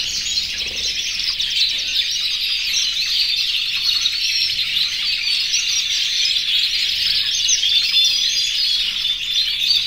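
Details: An aviary holding more than a hundred canaries in breeding condition singing to call the females; overlapping high, fast trills and chattering phrases create an unbroken, even chorus.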